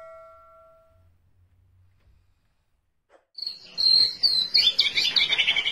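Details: White-rumped shama song, kept as a model for training other songbirds: after about three seconds of near silence, a short burst of high, bright whistles and scratchy chattering notes.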